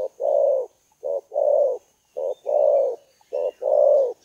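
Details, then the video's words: Lure call of a spotted dove: three rhythmic pairs of low coos, each a clipped note followed by a fuller, longer coo, separated by short silences. "SUARA MEMIKAT BURUNG TEKUKUR\BERKUKUR"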